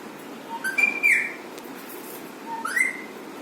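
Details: Masha, a pet Alexandrine parakeet, makes funny sounds: two clear whistled phrases about two seconds apart, each sliding upward then dropping, against faint room hiss.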